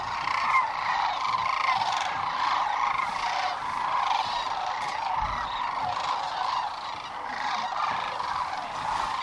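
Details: Huge roosting flock of sandhill cranes at dusk on the Platte River near Gibbon, Nebraska, spring 2015; countless rattling, trumpeting calls overlap into a continuous, slightly pulsing chorus.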